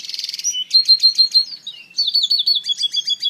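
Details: Song of a hybrid African citril mule opening with a short buzzy trill, followed by a quick series of sharp high chirps and a twittering rolled phrase.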